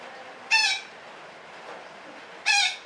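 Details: Parakeet giving a call described as long chattering (ngekek panjang): two loud, harsh, raspy squawks, each about a quarter second, roughly two seconds apart, over a steady low background hiss.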